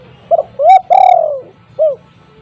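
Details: Loud-voiced spotted dove, kept as a lure to coax untrained doves into calling. One full phrase: a quick double note, then a rising coo and a long, drawn-out descending coo, and a short arched hoot to finish.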